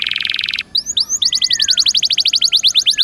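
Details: Canary song in the 'gacor dor nembak' style, meant to coax a caged canary back into singing: a buzzy rattling roll breaks into two upward slurred whistles, then a long, fast trill of sharply falling notes.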